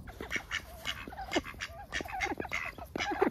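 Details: Close-up of lively ducks on a heavily overcast day: loud, raspy quacks repeated roughly every quarter second, mixed with lower drawn-out nasal notes, several birds calling together.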